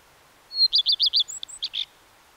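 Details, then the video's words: Common redstart song: a clear high lead-in note followed by four loud evenly spaced descending notes, then softer varied high chirps and a short buzzy ending. "The song of the Common Redstart"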